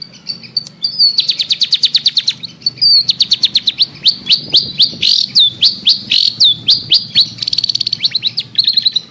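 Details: Long-tailed shrike, a lure recording meant to prompt a silent bird to sing: rapid series of sharp high chips and trills, bursts of repeated notes with short pauses, bright and clean throughout with faint low hum beneath.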